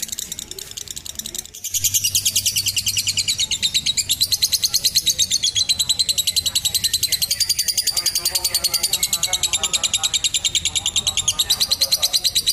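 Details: Long lovebird ngekek used as a training trill for young birds and tutoring. A brief quieter start gives way to a dense, steady stream of rapid high chattering notes lasting over ten seconds without pause.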